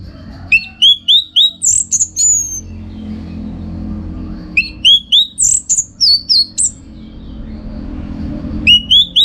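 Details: Orange-headed thrush (anis merah) in Bali, used as a song-contest training recording: three loud bursts of sweet descending whistles, each opening with a quick run of similar notes, separated by short quiet pauses.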